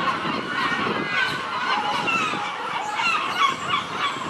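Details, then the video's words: Gulls calling noisily around Nesebar, Bulgaria: a crowded mix of hoarse, nasal squawks rising and falling, many birds overlapping against a constant low outdoor rumble. "Noisy Seagulls in Nesebar"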